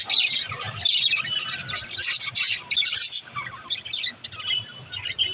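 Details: A mother budgerigar sits in her nest pot, giving continuous high, scratchy chirps and squawky warbling notes that tumble rapidly over one another, with faint low background hum.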